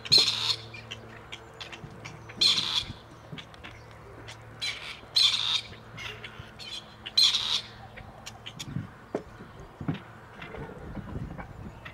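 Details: At Tullow, two released wild male grey partridges have returned, calling for females. Loud rasping bursts repeat about every two and a half seconds, then stop, leaving soft rustling and a low hum.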